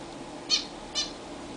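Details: Zebra finches in a new, roomier cage, bathing for the first time. Two short nasal calls about half a second apart, the first louder, over faint room hum.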